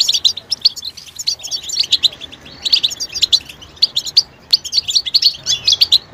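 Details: Twittering European goldfinch mating and readiness calls, used to rouse silent males into song: clusters of bright, high chirps delivered in fast runs, separated by short pauses.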